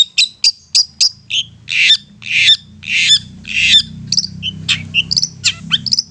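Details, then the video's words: Long-tailed shrike's persistent provoking song: high sharp chips, then harsh buzzy rasping notes repeated about every half second, followed by thin whistled notes; steady low hum throughout. "Apapun Cendet nya AKAN LANGSUNG MERESPON dan NYAUT lanjut GACOR dengan pancingan Cendet ngotot ini"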